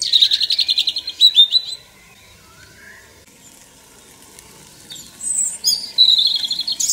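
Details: European robin singing in a forest in Ukraine: a rapid, varied phrase of high trilled notes, a pause with a soft lower slurred note, then more high, thin whistles and fast trills.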